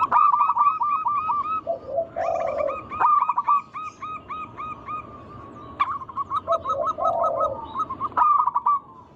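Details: Zebra doves of local wild stock singing, a lure to get other doves calling. Long strings of fast, bright staccato coos are interrupted by deeper rolling notes, then resume.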